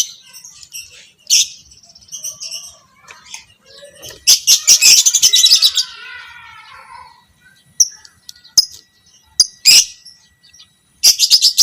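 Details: Fighter lovebird of the biola pb creamino colour type, in a recording used to train other lovebirds, giving scattered sharp high chirps, then a dense burst of rapid chattering notes, then more spaced squeaky chirps.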